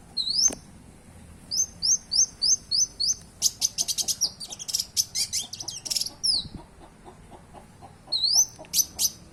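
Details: Long-tailed shrike, called cendet, described as a fighting bird and a bird of a thousand languages, singing varied mimicry: a series of high, thin, upslurred whistles repeated about twice a second, then a dense rattling burst of clicks and chips, then more whistles.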